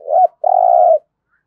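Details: One low spotted dove coo of the thúc gù type for decoy training: a brief wavering note, a short pause, then a steady droning hum.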